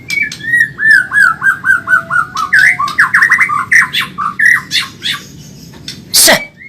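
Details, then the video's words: White-rumped shama of the Medan type, song used to train caged birds: a rapid string of loud, pulsing whistled notes in a falling, wavering pattern, mixed with high sharp chips, closing with one harsh burst. "Masteran burung murai Medan super cepat gacor"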